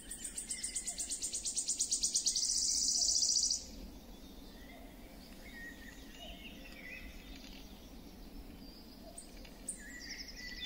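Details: Wood warbler singing: a series of high ticking notes that speed up over two seconds and run into a bright, shivering trill, followed by a quiet stretch with faint calls from other birds.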